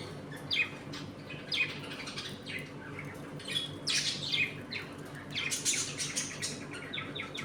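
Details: Budgerigars in a home colony eating, playing and fighting; irregular chirps and scratchy squawks, several overlapping callers, louder toward the end, with a low background hum.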